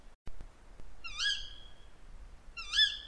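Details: Female Tawny Owl song, piercing and higher than the male's, a little like a Little Owl: two harsh screeches, the first long and trailing off, the second shorter, after a few soft clicks at the start.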